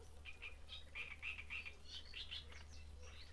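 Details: Great reed warbler at Grachevka, filmed for study of breeding behaviour: a rhythmic run of harsh, chattering notes repeated about three to four times a second, moderately loud over a steady low hum and faint background birds.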